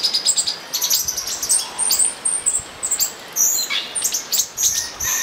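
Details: Olive-green tanagers mating at São Bento do Sul: a dense run of short, very high chirps and thin squeaky notes, some rising or falling, given in quick bursts with brief pauses between them.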